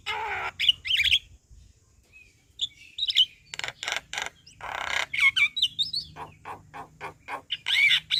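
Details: Javan myna in energetic chattering song used to train other birds: bursts of rasping notes and whistled fragments, a brief quiet gap, then a rapid regular series of harsh clicks.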